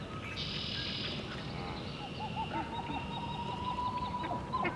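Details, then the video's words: Pied-billed grebe calling out to another on an early morning walk in Southern Ontario, giving a quick run of hollow, cuckoo-like cow notes on one low pitch, over a steady background rumble and thin high hiss. "Pied-billed Grebe singing"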